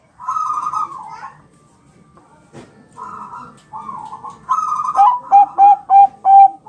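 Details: Bangkok-type zebra dove song used for training birds to reply: buzzy trilled phrases separated by pauses, then a quick series of six short, sharp whistled notes.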